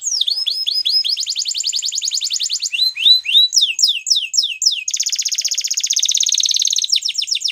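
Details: Waterslager canary singing a varied song: high whistled descending notes, then rapid rolling trills repeated many times a second, sweeping slurred notes, and a long buzzy trill, all clear and close.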